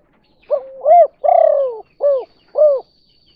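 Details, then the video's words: Spotted dove in kuk 2 cooing style, a lure to attract other doves. One clear low phrase: a short coo sliding into a rising note, a long buzzy falling coo, then two arched coos. "Suara Burung Tekukur Derkuku Kuk 2"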